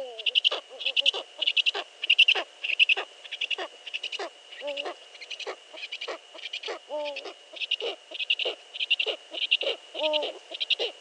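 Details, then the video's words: Eurasian eagle-owl calling at 5.31 AM on 15 March 2013: short downward-sliding notes repeated about twice a second, with several curved, harmonic wavering notes. A steady high whine and clicking run throughout. "Oehoe / Eurasian Eagle Owl (Bubo bubo)"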